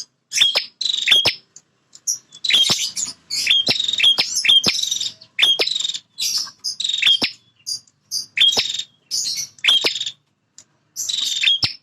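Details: Very vocal male bar-winged prinia defending its territory: a long run of about nine harsh, buzzy rattles, each laced with sharp clicking snaps, delivered in quick succession with short pauses.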